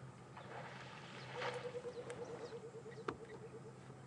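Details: Burchell's Coucal (rain bird) calling in the background on an afternoon safari drive at Djuma and Arathusa game reserve on 18 January 2015: a low, bubbling run of rapid hollow notes, like water poured from a bottle, with other birds faintly chirping over an engine hum.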